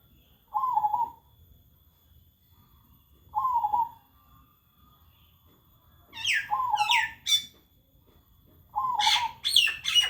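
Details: Zebra dove close by, said not to stop cooing all day, repeating a short wavering coo about every three seconds while another bird adds sharp high chirps in the later part.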